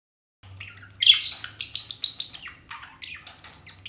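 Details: Two pet talking parrots squabbling in a playful fight: rapid series of sharp, harsh chirps and squawks, loud burst then repeated clipped notes every fraction of a second, over a faint low hum.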